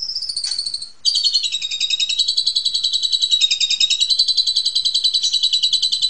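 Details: Master song of an Asian pied starling used to train juveniles: a high whistle, then a long, loud, rapid trill of pulsing buzzy notes repeated several times a second.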